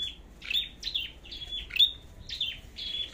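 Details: Red-headed flowerpecker in competitive singing before a forest outing: a string of high, sharp falling chips ending in thin whistles, somewhat softer against steady low background noise.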